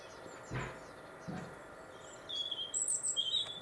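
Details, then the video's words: Robin song in winter, Warwickshire countryside on the Monarch's Way: two soft low thuds first, then thin very high whistles and a short high slurred phrase near the end, fairly faint. "British Winter Robin Birdsong"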